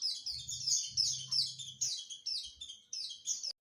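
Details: White-eye in ngriwik chatter used as a training recording: repeated bursts of high thin twittering, about three per second, over a low hum that stops midway.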